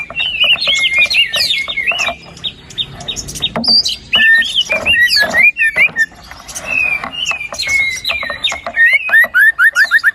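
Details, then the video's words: White-rumped shama lure song for waking a reluctant singer: a dense mix of warbling whistles, clicks and scratchy notes, ending with a fast run of repeated downslurred whistles. "PANCINGAN MURAI BATU GACOR ! BONGKAR ISIAN ! NAIKAN MURAI BATU MALAS BUNYI AGAR CEPAT GACOR !"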